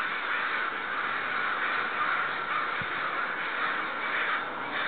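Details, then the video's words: Neighborhood crows, agitated or upset about something, give loud, sustained cawing: harsh caws overlap in a dense, unbroken chorus with no quiet gaps. "Crows seem upset"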